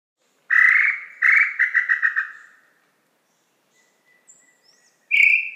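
Tataupa Tinamou: two drawn-out, mid-pitched whistles, then a quickening run of shorter notes that fades away. The next song starts at the very end.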